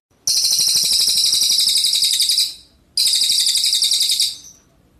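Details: A captive red siskin in full, fast song gives two long, high, buzzy twittering bursts of rapid trilled notes, the first about two seconds long, with a brief pause between.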